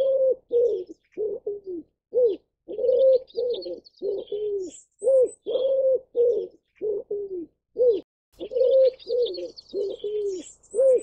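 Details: Ashy wood pigeon (Columba pulchricollis) call: low, hollow cooing notes in a steady run, a couple each second, some falling in pitch, with faint high chirps of other birds in the background.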